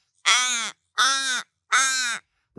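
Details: Little Raven in Australia giving three harsh, even caws, each about half a second long, at a steady pace with a fourth just beginning; its call is regular, not drawn out, and deeper than the Australian Raven's.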